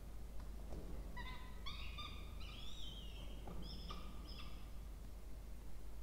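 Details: At a Peregrine falcon nest box in a water tower in Orange, Australia, two chicks are fed on 20 October 2024; a run of harsh, harmonic whines, some sliding upward, with faint clicks and constant low hum.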